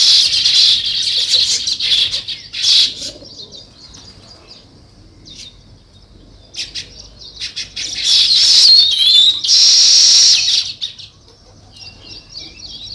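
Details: Sparrows chirping naturally in uneven bursts: loud twittering chorus at the start, a quiet stretch with isolated chirps, then another loud, squeaky outburst before fading to soft calls.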